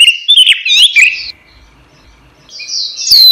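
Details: Orange-headed thrush, a caged songbird, singing as a training recording for other cage birds: loud, rich whistled phrases with fast slurred and warbled notes, a pause, then high sweeping whistles.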